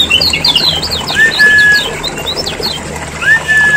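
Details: Lombok lemon-bellied white-eye lure recording: a quick run of thin, high chirps followed by two drawn-out, slightly rising whistles, over a faint background hiss.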